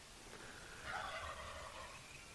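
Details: A turkey on a farm gobbles during breeding season, near where turkeys and peacocks are kept: a rapid rattling burble peaking about a second in and trailing off over the next second, against a low background hum.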